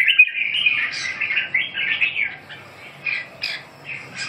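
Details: Red-whiskered bulbul singing short, warbled, liquid phrases that rise and fall. Bright notes come in quick bursts, with brief gaps between groups and a faint low hum beneath.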